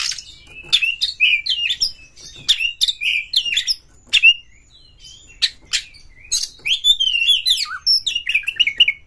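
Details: Oriental magpie-robin singing continuously as a challenge to a fighting rival: busy, varied phrases of sweet whistles, sharp clicks and buzzy notes run closely together, with only one brief pause.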